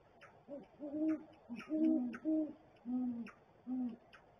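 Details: Male and female great horned owls hooting together at the nest, the female's hoots not as low as the male's; overlapping deep notes alternate in a rhythmic exchange over four seconds.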